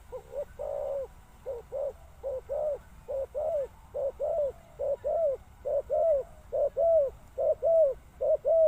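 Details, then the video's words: Spotted dove calling steadily: a short low coo followed by a longer, slightly falling coo, the pair repeated about once a second, some fourteen times in a row over a faint low hum. "Sound Of Spotted Dove"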